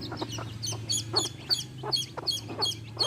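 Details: Chicks beside their mother hen give sharp, high, downward-flicking peeps in quick succession, with faint low clucking beneath.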